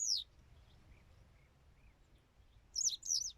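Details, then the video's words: Western yellow wagtail: one high falling note, then a quieter pause with faint soft chirps, followed by a rapid pair of sharp, buzzy downslurred notes. "Пение жёлтой трясогузки"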